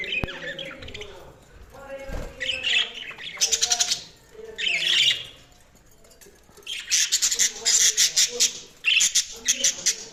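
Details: Several budgies chirping, with bursts of rapid, harsh chattering notes repeated in quick clusters, alternating with softer warbling and quieter gaps, a lively flock chorus.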